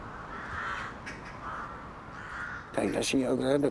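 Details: Rooks gathering in trees in the town of Zutphen, Netherlands, flocking to a roost as more keep arriving; a run of harsh, hoarse caws repeated in quick succession, followed by a man speaking Dutch close by.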